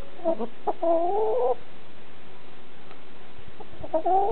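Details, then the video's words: Chickens recorded close up: a few short clucks, then a drawn-out, slightly rising two-toned cluck lasting about half a second. After a quiet stretch, a similar rising cluck comes near the end. Faint background hiss. "Close up Chickens!"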